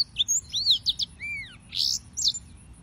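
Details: Serinus mozambicus, the yellow-fronted canary, giving a short burst of song: arched whistled slurs, one lower drawn-out note, then two brighter buzzy notes, with quiet gaps between phrases.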